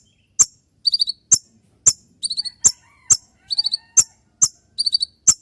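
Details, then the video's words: Kolibri ninja, the konin trotol, delivering its crisp shot song for dawn training: bright high clicks alternating steadily with short buzzy triple-note bursts, about every half second. "Masteran dan Terapi konin trotol dengan suara tembakan yang mudah"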